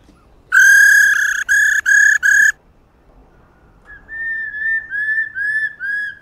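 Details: Female white-cheeked laughingthrush 'ro' calling, meant to stimulate singing: four loud, harsh, harmonic notes in quick succession, a pause, then five softer whistled notes that slide gently downward.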